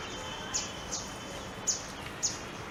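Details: Grey-headed canary-flycatcher (Culicicapa ceylonensis), a winter migrant from the Himalayas foraging at Sundarvan, Ahmedabad, in winter, gives excited calls: four very high, sharp chip notes irregularly spaced about half a second apart over steady background hiss.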